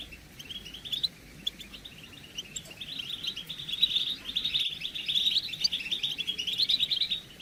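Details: A flock of European goldfinches giving excited group chatter meant to trigger male singing; soft sparse chirps at first, swelling into dense, continuous twittering trills.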